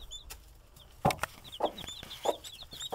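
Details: Hen watching over her baby chicks, giving low soft clucks about every half second to second, while the chicks keep up a constant high peeping chorus in the background.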